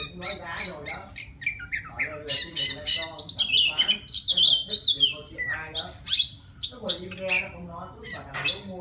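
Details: A forest Oriental magpie-robin sings to call a female: a rapid jumble of harsh, scratchy notes mixed with clear high whistles, several phrases per second, with no other sounds.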